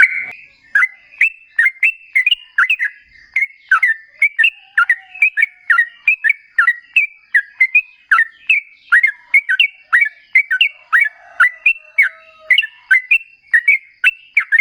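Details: Sooty-headed bulbul, locally called trucukan, in lively extended song used as a lure to make other birds answer: a long run of short bubbly whistled phrases, each with a quick dip, repeated about twice a second.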